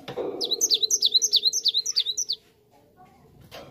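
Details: Cinereous tit song played as a lure so other birds answer: a rapid run of about seven high, sharply down-slurred two-part whistles, bright and evenly spaced, then quiet room hum and a soft knock at the end.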